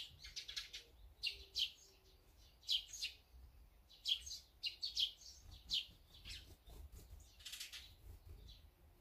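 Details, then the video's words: Birds at a feeding spot, where azure-winged magpies, sparrows, tits and brown-eared bulbuls gather, give scattered high chirps and tweets in irregular bursts, several overlapping, with a soft low rumble behind. "물까치,참새,박새,직박구리,먹방,새먹방, 새소리 힐링방송"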